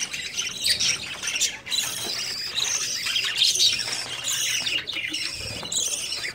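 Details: A group of budgerigars during the breeding season, start of summer, warbling and chirping nonstop: thin whistled notes and raspy squawks overlap in a steady high chatter, broken by a short lull near one and a half seconds.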